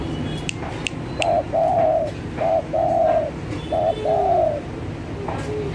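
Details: Spotted dove calling actively, used to lure other doves. Soft, hollow coos come in three pairs, a short coo followed by a longer drawn-out one, against steady background hiss and faint clicks.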